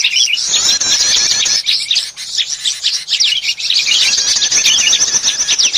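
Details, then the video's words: Prinia trapping lure made of an almost unbroken wall of rapid, high, squeaky twittering and fast trills, loud and crowded, as if many small birds were calling at once. "Suara pikat burung prenjak || suara pikat burung kecil ribut"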